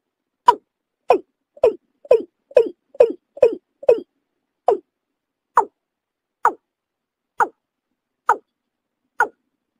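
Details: A Watercock call used to lure birds for hunting: a series of about thirteen hollow, throaty notes, quick at first and then slowing to about one every second. No other sounds are heard.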